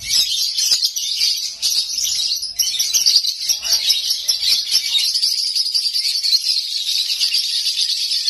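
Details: Lovebird kept at home in unbroken konslet singing: a harsh, high, rapid chatter, slightly uneven in loudness, with a faint low rumble at the start.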